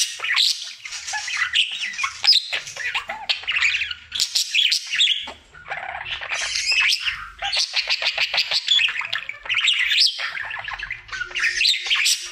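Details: Male budgerigar, a happy pet, in his daily singing routine: rapid ticking chatter and bright chirps in trains, sometimes forming quick repeated clicks, with one short lull around five seconds.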